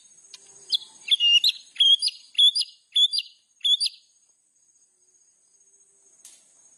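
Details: White-rumped shama giving a series of six short sharp whistled phrases, each a quick upward then level note, spaced about half a second apart, followed by silence.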